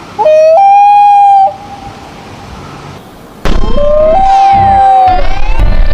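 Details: Common loon (Gavia immer) gives two long, clear, siren-like wailing notes, each sliding up and holding steady about a second, over a rumbling background with a faint extra tone; likened to horror game music.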